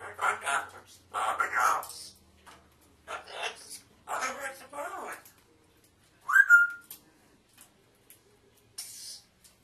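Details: Pet African grey parrot talking indoors in a small room: several speech-like phrases in short bursts with pauses between, then a brief sharp rising whistle, and a faint hiss at the end.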